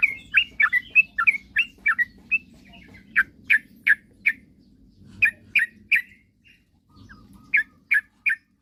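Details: Sooty-headed bulbul singing to goad rivals into singing: quick clusters of sharp chirps, a brief near-silent gap, then three final loud notes.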